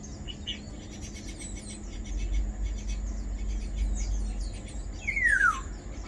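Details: Black-naped oriole (Oriolus chinensis), call.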